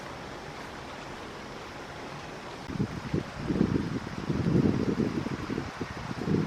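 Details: Soft background hiss gives way to gusty bursts of wind or water noise, with no animal voice.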